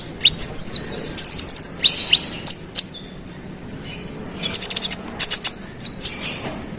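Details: Konin (olive-backed sunbird) in hard-driving song intended to rile other males: a sharp descending whistle, quick clusters of high ticking chips, short pause, then further bursts of piercing chirps and thin slurs.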